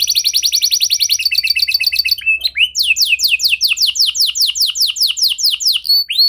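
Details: Domestic canary performing a lure song intended to make any other canary join in: a fast rolled high trill, a brief pause, then a long series of loud descending swept whistles repeated about three per second.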